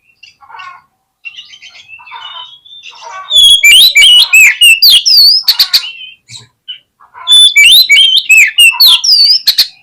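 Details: Lure song of an oriental magpie-robin, meant to provoke a lazy bird into spreading its tail and fighting: soft, scattered twitters give way to two long bursts of loud, fast, varied whistles and sharp clicks.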